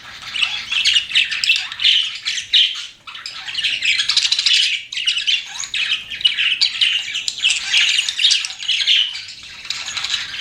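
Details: Several pet budgies chattering nonstop, a busy wash of buzzy chirps and warbled squeaks with one brief lull near the start.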